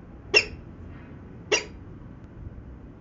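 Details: At Venlo on 19 February 2021 at 14:50, a peregrine falcon gives two harsh, rasping notes about a second apart over a low steady background hum.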